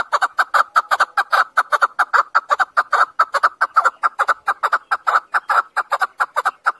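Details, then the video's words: Chukar partridge calling: a fast run of harsh, clucking chuck notes, about two to three per second, uneven in spacing and steady in loudness throughout, with no other sounds. "Keklik sesi. Keklik sesi Hunter. Chakor voice. chakor sound. chakor calling."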